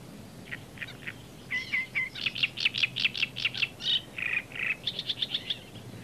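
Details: Great reed warbler (Acrocephalus arundinaceus) singing loud, harsh, grating phrases of repeated chattering notes, switching between creaky and squeaky series at a brisk pace, in reeds of the former East German border zone; faint background hiss.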